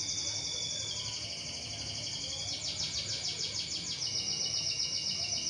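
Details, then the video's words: Canary lure song to set other canaries singing: a sustained high tone, then a rapid trill and another held note, over a steady hiss of background noise. "CUIT CUIT PANCINGAN BURUNG KENARI AGAR CEPAT GACOR DAN NGEROL"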